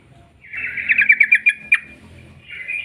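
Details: Sooty-headed bulbul singing a lure song to make other bulbuls sing: a rough, buzzy trill of fast pulses building and ending in a sharp note, followed by a fainter warble.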